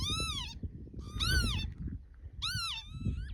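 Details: Mating pair of Northern lapwings on Barden Moor near Skipton in June; three clear, rising-then-falling wheezy whistled calls rich in overtones, about one every 1.2 seconds, over low wind rumble.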